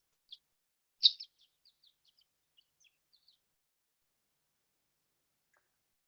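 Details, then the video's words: Violet-green Swallow dawn song in Colorado, heard in the middle of the night before dawn: thin, high chips and twitters, one louder burst, then a loose series of soft tweets over two seconds, in quiet surroundings. "and that's exactly what it was that that you just heard was The Dawn song of The Violet green swallow"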